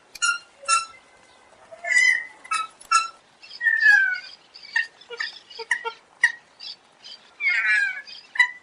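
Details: Black-necked Swan calls, a busy run of nasal, slightly wheezy notes in irregular bursts, some sliding downward, with overlapping voices toward the end.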